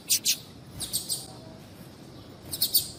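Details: A female seedeater (papa-capim) calling, used to stimulate males to sing, gives very high, thin chirps in quick clusters of two or three notes, separated by pauses of about a second over faint background hiss.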